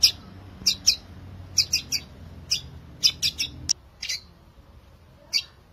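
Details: Long-tailed shrike song meant to prompt silent shrikes into singing: bright, high chirping notes in short clusters of two or three, with irregular pauses and a longer gap before a final single note; faint low hum beneath.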